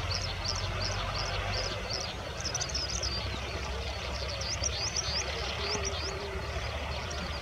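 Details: An Oriental skylark gives a run of thin, high chirps, several per second, over a steady low rumble of passing traffic, recorded in February 2020 at Ghatal, Paschim Medinipur, West Bengal, India.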